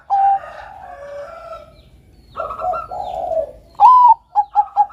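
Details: Zebra dove of the Bangkok type singing actively for dove training: a sharp opening note, a stretch of mellow lower cooing, then a rising whistled note and three brisk clipped notes.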